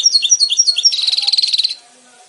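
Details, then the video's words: Goldfinch song of brisk high chirps leading into a sustained buzzy trill, loud and close, fading to quiet. "the birds of the goldfinch, brilliant"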